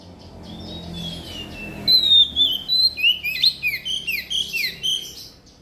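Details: Oriental magpie-robin song used as a lure to get reluctant magpie-robins singing, also for trapping: after a quiet start, a fast run of clear, varied whistled notes, slurred up and down, pours out in short bursts for several seconds.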